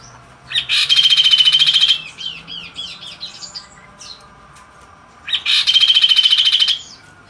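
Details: Gajor dorr song of a kaso-kaso, the magpie robin: a long, loud, pulsed rattle of over a second, then a run of quick rising whistled slurs and chirps, a quiet gap, and a second rattling trill.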